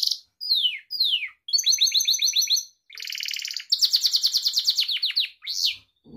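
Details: Gloster canary singing, a recording for training pet canaries: several clear falling whistles, a stuttering series of chip notes, a buzzy rolled passage, then a fast rippling trill and an upslurred whistle, in clean isolation.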